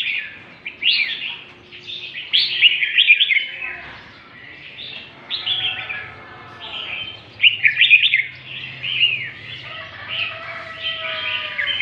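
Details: {'__e': 'Red-whiskered bulbul of northern Vietnam singing in the lân tê style, with loud, clear phrases of bright whistled and warbled notes. The phrases come in bursts separated by brief pauses, and a faint low hum sits underneath.'}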